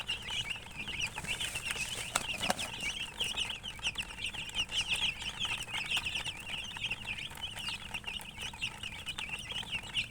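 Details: Chicks chirp constantly in a crowded, high chorus of quick peeps, with a brief sharp knock or tap early on and a low hum underneath.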